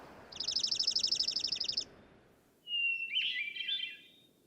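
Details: A male junco sings in Yosemite during nesting season, territorial song, a dry, even trill of about twenty rapid notes over a second and a half, followed by a squeakier, jumbled phrase from another bird.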